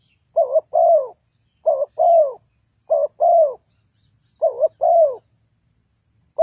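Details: Spotted dove call used as a trapping lure. Four steady two-part coos: a brief quavering note, then a drawn-out falling croo. The pairs come at somewhat uneven intervals, and a fifth begins at the end. No other sounds.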